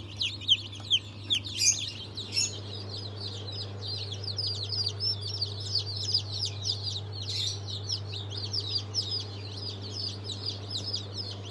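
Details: Freshly hatched Sultan, Fizan and İspenç chicks in a dense chorus of shrill, rapid peeps that runs without pause, with a constant low hum beneath and a couple of brief rustling knocks early on.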